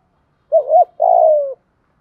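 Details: Spotted dove used as a lure to stimulate other doves: a short rising-falling coo followed by a longer, buzzy, gently falling coo, all low and mellow.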